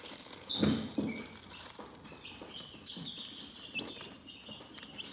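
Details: Calm chicken chirping: high, thin peeps repeat in a loose chorus, broken early by a loud low thump and followed by soft rustling and tapping.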